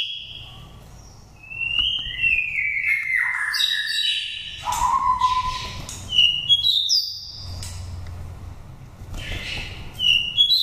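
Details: Wild-voiced oriental magpie-robin, a five-season bird from Daklak, Vietnam, singing as a lure for stimulating or trapping birds. Long, varied phrases of falling slurred whistles, rasps and high chirps, with brief pauses between bursts.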